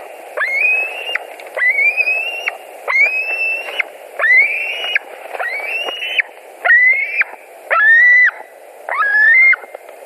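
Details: White-tailed eagles at a Latvian nest, 21:09 on 11 July 2020, dinner delivered by a returning adult; eight long, upward-sliding whistles in steady succession, about one every 1.2 seconds, over continuous hiss.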